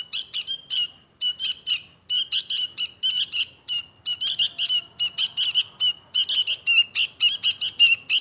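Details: Sooty-headed bulbul singing in clusters of fast, high chirps, each burst of several notes separated by short silences, the rhythm speeding up toward the end.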